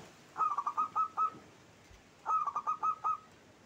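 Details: Local zebra dove in full song, voice rendered klauw ketek kuk kuk; two phrases of quick stuttered cooing notes, each ending in a few spaced coos, separated by a short pause.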